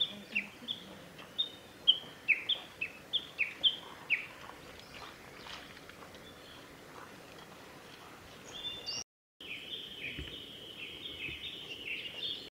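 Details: A male bird, recorded 13 June 2021 at the North Fuji training area, Japan, gives about nine short, bright chirping notes at a quick, uneven pace, then a steady high buzz, possibly an insect, over soft outdoor noise.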